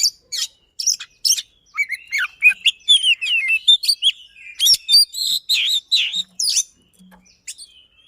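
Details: Fast, insistent white-rumped shama song used to prompt a silent bird, with sharp chips, slurred whistles and a dense warbling run in the middle, fading to scattered notes at the end.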